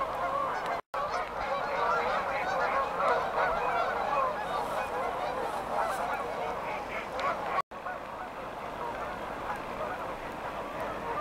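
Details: Geese taking off from a riverside resting area at Beaver Dam Flats in Calgary, Alberta, departing for warmer climates; a large flock gives a continuous chorus of many overlapping nasal honks, rapid and layered, loudest in the middle, with two brief breaks.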